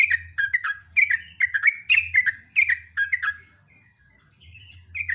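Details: Loud rapid song of a sooty-headed bulbul. Quick, liquid whistled phrases repeat steadily, then pause briefly before resuming at the end. A low background hum runs throughout.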